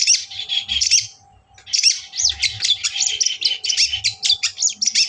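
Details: Rival-provoking lure from a long-tailed shrike: a brief chattering burst, a pause, then a long rapid run of scratchy squeaking notes and upswept chips over a faint hum.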